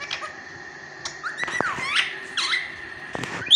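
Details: Pet rose-ringed (Indian ringneck) parakeet gives mimicked speech, chattering in high, swooping and bending speech-like syllables that rise and fall over about three seconds in a quiet room.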